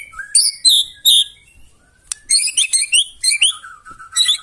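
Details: White-rumped shama delivering a loud, harsh provoking song to set other birds singing: sharp high buzzy notes repeated in short groups, then a run of stuttering mid-pitched chirps and a steady trill, all clean with no background noise.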